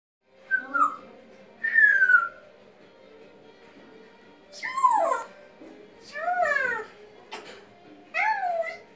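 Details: African grey parrot, described as a talking bird, giving a series of loud, harmonic, sweeping calls: a short note, then a bright falling whistle, then several swooping, voice-like utterances at intervals, over a faint steady hum.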